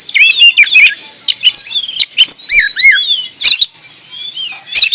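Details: Oriental magpie-robin, called kacer, singing in full voice: loud whistled notes and slurred rising and falling phrases broken by short sharp clicks, with brief pauses between bursts.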